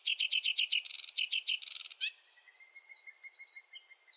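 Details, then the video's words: Rushed, chattering sedge warbler song from a wetland: rapid harsh notes and two buzzy bursts, then a run of thin, slurred, sweeter whistled phrases over a steady low tone. "Sedge warbler song (Acrocephalus schoenobaenus) the warbler rapper"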